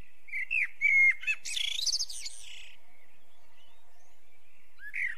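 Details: Eurasian blackbird delivers a brief mellow whistled phrase that breaks into a loud, harsh high-pitched twitter, followed by near silence and one faint fluty note at the end.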